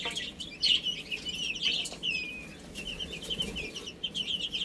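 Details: Baby chicken chicks playing and eating, giving a steady stream of high, thin peeps that slide up and down and overlap one another, with scattered sharp ticking sounds throughout.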